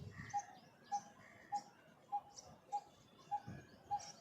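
A Coppersmith barbet repeats a hollow, mid-pitched 'tuk' about every 0.6 seconds, like a metal tapping. Faint chirps from other birds sound behind it.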